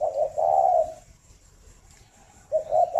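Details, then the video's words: Spotted dove from a breeding bird farm in Ba Vì district, Hanoi, Vietnam, heard in the morning: two short, low, mellow coo phrases, the second one cut off at the end, over a quiet background. "tiếng chim cu đẻ"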